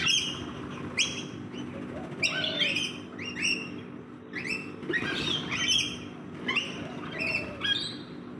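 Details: Several rainbow lorikeets feed in a backyard, keeping up busy, harsh, squealing chatter of short rasping notes repeated roughly every half second to second, with a steady low hum behind.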